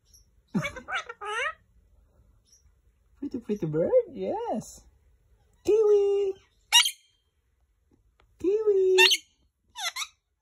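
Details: Male green Indian ringneck parakeet talking: a run of short, speech-like spoken phrases with wavering pitch, then two flat, harsh held notes and a brief rising squeak, separated by short pauses.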